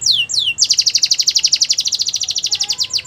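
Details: Belgian canary song for training young canaries: two long falling whistled slurs, then a loud rapid pulsed trill repeated about ten times per second to the end.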